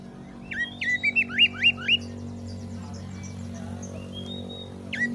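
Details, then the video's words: Oriental magpie-robin song used to toughen other birds into fighters: a neat series of six quick upslurred whistles at an even pace, then near silence with faint notes, over a constant mechanical hum. "MASTERAN KACER GACOR || Kacer gacor tes mental burung lain agar fighter"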